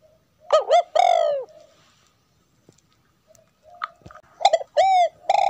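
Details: Female spotted dove cooing to excite a male into singing. A loud phrase of two quick notes and a long husky coo opens the clip. A long pause follows, then a second phrase of several rapid falling coos.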